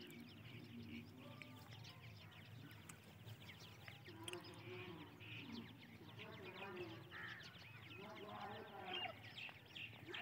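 Grey francolin chicks give a steady chorus of thin, high peeping chirps, many overlapping, while a person talks in the background.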